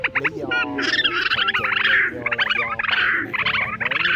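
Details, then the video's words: Migrating red-legged, grey-bellied rail (March 2023 migration season) gives harsh, nasal, grating notes in rapid bursts with short pauses between runs of calls; recording is used as a lure for night netting. "Tiếng Gà Nước Chân Đỏ Bụng Xám"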